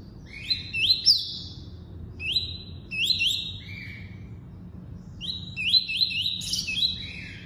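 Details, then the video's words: Double-collared seedeater performing the tuí-tuí song: three bursts of stepped high whistles, each a run of quick rising notes ending in a lower held tone, separated by short pauses, with soft low background noise. "COLEIRO FLASH ENCARTE (TUÍ-TUÍ)"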